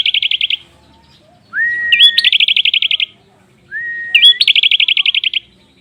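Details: Prinia song heard twice: each phrase opens with a rising, then steady whistle, flicks through a looping note and ends in a rapid, regular train of about fifteen high, buzzy pulses.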